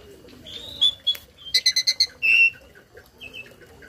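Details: Tame starling song with learned phrases, meant to tutor other birds: scattered whistles, a series of five evenly spaced buzzy notes, then a longer warbled whistle and fainter soft notes.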